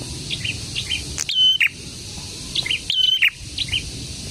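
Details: Prenjak, a prinia, singing in a fuller chorus of soft twitters, with two loud phrases that jump up, hold a flat high whistle, then drop to a scratchy note; faint background rustle throughout.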